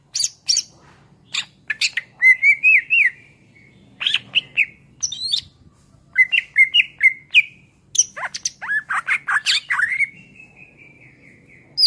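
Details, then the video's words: Greater green leafbird in full song, recorded to tutor other songbirds: bursts of sharp chips and high squeaks mixed with warbled whistled phrases and brief trills, delivered in rapid clusters with short gaps. "SUARA MASTERAN CUCAK IJO GACOR"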